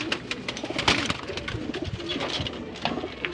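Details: Pigeon (Columba livia), coo.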